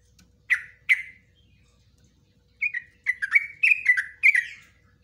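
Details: Yellow-vented bulbul in 'ropelan' song style with 'nguklik ngecruk' phrasing, meant for training caged birds: two sharp separate chips, then a lively run of gurgling, warbled notes that tumble up and down.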